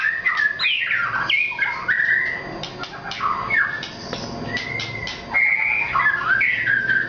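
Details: A white-rumped shama of the Nias type, billed as a very vocal singer, pours out loud, varied whistled song. Rich sliding phrases rise and fall, broken by short sharp accents in quick succession. No other clear sounds.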